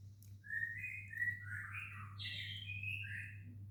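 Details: A Buffy fish owl eating catfish gives a series of wheezy, rasping screeches that waver up and down in pitch, running almost continuously for three seconds over a low indoor hum.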